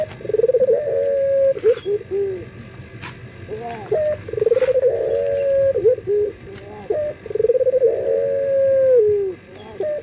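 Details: Male local collared dove in breeding condition calling to females: three long purring coos, each a trill of rapid pulses that smooths into a steady drawn-out note, separated by short hiccup-like notes.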